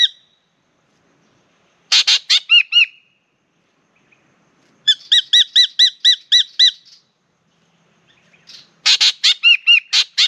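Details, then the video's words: Spangled drongo, an Australian treetop bird come down low to sing and bathe, partner chatting overhead: bursts of harsh buzzy notes mixed with ringing metallic twangs, then a long rapid series of clear ringing notes, then more harsh bursts. "Spangled Drongo comes for a sing and a swim"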